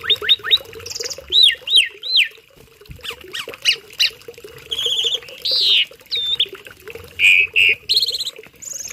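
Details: Tame Asian pied starling delivering tutor song for other birds, starting with rapid rising whistles, then looping slurs, sharp clicks, buzzy rasps and paired high chirps, loud and varied throughout.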